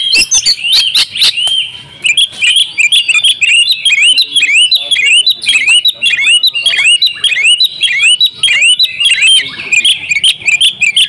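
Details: Female Oriental magpie-robin calling a male so he becomes vocal; after a few sharp opening notes, a long fast run of upswept whistled notes repeated almost twice a second, bright and insistent.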